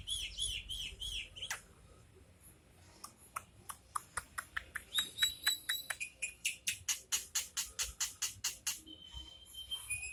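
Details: Starling singing energetically: a long series of sharp clicking pulses, about two per second, mixed with short high whistles and buzzy chatter that carry through the recording.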